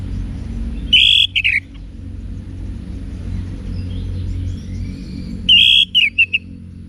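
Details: Orange-headed thrush in wiksar song style, played so caged males respond as bold fighters: two loud bursts of clear whistled notes, each trailing into short falling chips, separated by several seconds of low rumbling background.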